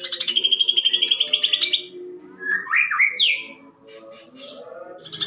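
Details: Caged greater green leafbird (cucak ijo) singing a harsh fighting song with imitated sparrow phrases, used as a lure for training: long trilled whistle at start, then loud rising and falling slurred notes, and a buzzy chatter.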